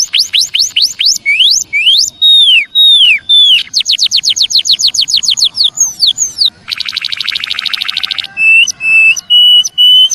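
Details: Javan munia calling to lure wild birds, a busy mix of sharp rising chirps, drawn-out falling slurs, a fast chirp series, a dense buzzy trill and several long flat whistles.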